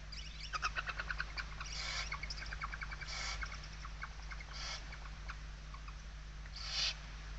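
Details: Barn owl inside a nest box in Spain, 16 November 2023, a watchful mother with eggs and a kestrel near the nest, giving harsh, breathy hissing bursts every second or two, with quick thin chirps early on over a steady low electrical hum.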